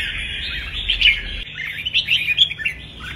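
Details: Red-whiskered bulbul kích bổi song used to train bulbuls for contest singing: fast jumbled chirps and warbles, rising into a louder run of sharp notes in the second half.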